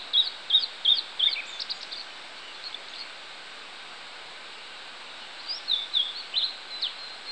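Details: Blue-and-white flycatcher in song on 16 July 2016: a run of short, high whistled notes repeated rapidly, silence for a few seconds, then a second phrase of similar bright notes and downslurs amid steady hiss.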